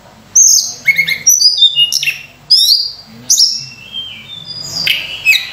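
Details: Sunda robin giving a rich song used as a lure for other birds: loud clustered phrases of high sweeping whistles and rough chirps, some notes sliding downward, in bursts about half a second apart.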